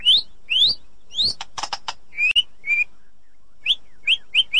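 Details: White-rumped shama in an edited recording played to restart a silent shama: bright upslurred whistles, a clicking burst, level whistles, then a series of short quick rising notes.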